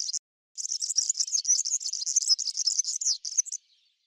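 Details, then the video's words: A European serin (Serinus serinus) feeding on Brassica oleracea seeds in a backyard gives a brief opening chirp, then a fast, high, jingling run of buzzy, tinkling notes lasting about three seconds. "European Serin Call Serinus serinus Song Milheirinha Canto Chamariz"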